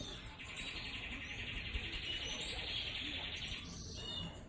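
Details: Portuguese Harlequin canaries, captive-bred 2018/19 birds: a continuous rapid trill held in a steady high band for about three and a half seconds, breaking off into a few short chirps, over low background noise.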